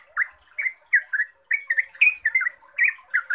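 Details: Trucuk, the yellow-vented bulbul, singing a lively continuous lure song: chattering, warbled notes in short clusters, one brief pause mid-way, then a denser run of bubbly phrases; soft high hiss in the background.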